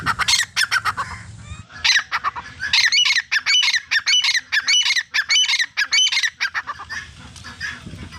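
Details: Male and female grey francolin calling in a fast series of grating, squawky notes, a dense run of repeated calls mid-sequence that fades out toward the end over soft low rumbling.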